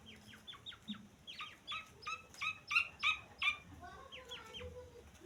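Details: Grey francolin chick: a quick series of short, high, downward chirps that grows louder toward the middle, then fades into softer, spaced peeps.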